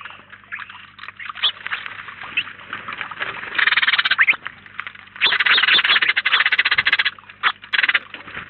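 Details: House sparrows crowding a feeder in Collado Villalba, up to 19 at a time: background chatter broken by two long bursts of rapid, rhythmic chirps repeated several times a second.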